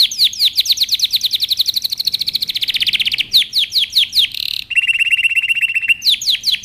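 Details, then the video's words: Male canary in breeding excitement courting a female: a fast run of descending chirps speeding into a dense trill, then a buzzy note, a steady rolling whistled trill, and more falling chirps. "تغريد كناري هائج يجبر الانثى على اخذ وضعية التلقيح"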